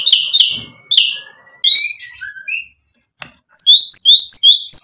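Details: Energetic white-rumped shama singing, used to lure and provoke rival birds: loud sharp chips, thin drawn-out whistles and a low slurred note, a short silence, then a fast series of high, evenly spaced chirps.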